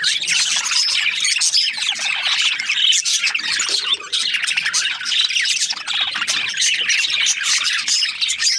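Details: Group of budgies keeping up a loud, steady chirping chatter, with rapid clicky twitters and harsh squawks layered over one another from start to end.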